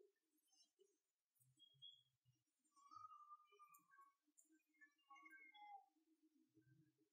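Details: Japanese tit in a cherry blossom tree gives scattered short chirps and thin whistled notes, some gliding downward, at irregular intervals, over a low background murmur.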